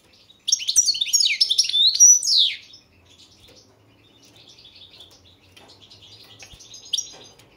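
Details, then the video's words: European goldfinch of the Balkan form Carduelis carduelis balcanica, a World Championship goldfinch song competition entry from Serbia, 2022; a loud burst of twittering, buzzy high phrases over about two seconds, then softer rapid chattering and one final bright note. "Pesma štiglića 003/22 World Championship in Goldfinch Song"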